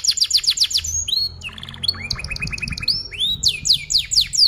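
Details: Canary lure song meant for young canaries to learn from: quick downswept notes in a rapid series, short clear whistles, a run of fast chirps, then renewed looping swept phrases, loud and varied throughout.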